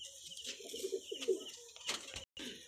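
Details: Domestic pigeons of local and foreign bloodlines utter muffled, bubbling coos in two short bursts, followed by scraping and rustling noises and a brief dropout.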